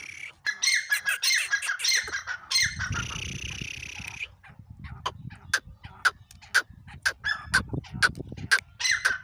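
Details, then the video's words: Black francolin giving harsh, grating squawked calls in quick bursts of broadband notes, some rapid sharp clicks between, with a brief stretch of rougher noise partway through. "kala teetar masti ki awaz"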